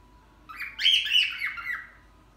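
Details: Pet cockatiel that has learned to say "Hare Krishna" gives a single loud, harsh, chattering squawk lasting about a second and a half. The call is bright and buzzy, with no other sounds beyond quiet room noise.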